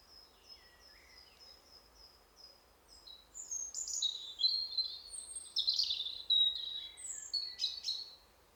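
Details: Territorial spring song of a European robin in forest during the breeding season: a series of thin, high, evenly spaced piping notes that breaks into a rich, elaborate, flute-like phrase of warbles and trills.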